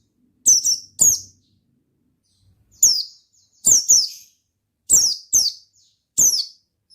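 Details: Oriental white-eye in lively 'gacor ngalas' song. Very high, piercing notes slide steeply downward, each burst doubled or tripled, with a pause of over a second midway. No other sounds are noticeable.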